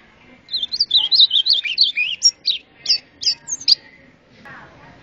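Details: White-throated seedeater, called golinha, singing in azulão style: a fluid warbled run of high twisting notes, followed by five or six separate sharp, clipped notes spaced about a third of a second apart.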